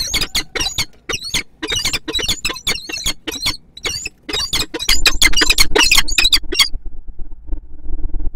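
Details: Peregrine falcon pair, male and female, meeting at the nest in Kwidzyn, 29 September 2024; fast series of harsh, scratchy cries for about seven seconds, then they stop and only low rumbling noise remains.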